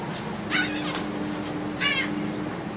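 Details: Gulls being fed on board a ferry from the Dutch island of Texel, Netherlands, on 28 March 2014: two brief harsh, nasal squawks about a second apart over a steady low engine hum.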